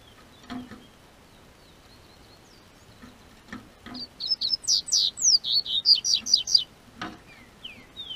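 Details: Double-collared seedeater from a breeder's collection in Brazil's southern region, singing as it gets warmer. After a few quiet chirps and clicks comes a fast string of bright, high, down-slurred notes lasting about three seconds, then a knock.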